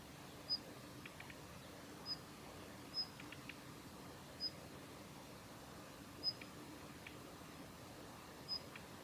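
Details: Female Daurian redstart recorded 7 November 2021 at the Kitafuji training area in Japan: six sharp, thin whistles spaced one to two seconds apart, several trailed by soft clicking notes, against a quiet hiss.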